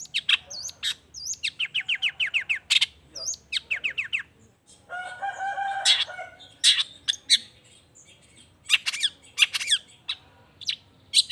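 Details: Long-tailed shrike song used to prompt other shrikes to respond. Rapid rhythmic chattering notes come in quick series, then a rough noisy section, then more scattered sharp, scratchy calls.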